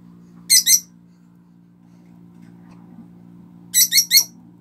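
A pet bird gives loud, harsh high-pitched squawks in two short bursts of two and three notes.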